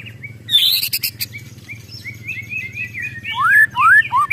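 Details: Agitated white-rumped shama: a brief harsh rattle burst at the start, followed by soft slurred whistles rising into clear, loud downward-sweeping whistled notes.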